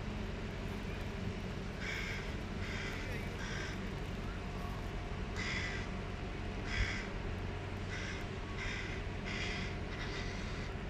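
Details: Hungry hooded crow fledglings chasing their mother and calling; repeated harsh, raspy begging cries in short bursts, about nine over eleven seconds, beneath a constant loud low rumble of traffic or engine noise.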